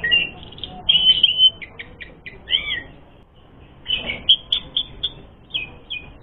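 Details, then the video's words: Asian pied starling song played to provoke fighting: scattered bursts of chattering notes, short trills and whistles, with quieter gaps between phrases. "Masteran Suara Burung Jalak Suren Gacor Full Isian Mewah Jadikan Suara Pancingan Jalak Suren Tarung"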